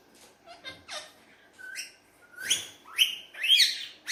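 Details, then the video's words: Pet talking Alexandrine parakeet at play with a mirror. Brief soft chirps build into clear whistled notes, then loud rising squawks that grow louder and closer together toward the end. "Alexandrine Amazing Talking Parrot playing With Mirror"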